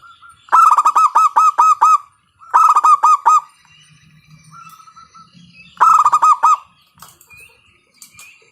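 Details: Local zebra dove (perkutut) with a loud voice, used as a lure to stimulate other doves to sing: three bursts of rapid, harsh, pulsed coos, about seven notes each, separated by quiet stretches with a faint low hum.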